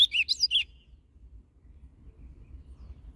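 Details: Caged ultramarine grosbeak of the Paraná type singing a northern-style song used to warm up other caged birds: one brief, quick warbled phrase of looping high notes lasting under a second, then near silence with faint low hum.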